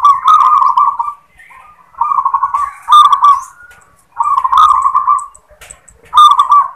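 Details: Local zebra dove repeating its "klar ketek kuk" song: a steady series of rolling, purring trilled coos with clicky starts, about one phrase every second or so.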